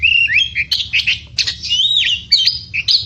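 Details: Oriental magpie-robin in lively song: rapid whistled notes, upslurs and harsh chirps run together without a break, over a faint low hum.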